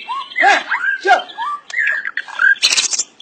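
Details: White-rumped shama song of rich, lower whistled phrases, arched and slurred notes separated by short pauses, ending in a harsh, high rattling burst.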